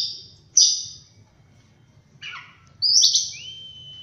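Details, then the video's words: Morning song of an Oriental magpie-robin: a loud high whistled note, then a softer descending slurred phrase, then a bright burst ending in a long steady whistle. "Birds Chirping In The Morning| Natural Sound of Birds Singing|Oriental Magpie-Robin"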